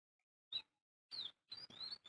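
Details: Bird chirping: a few short, high chirps that slide downward, separated by brief silences, with one longer, slightly buzzy chirp series near the end.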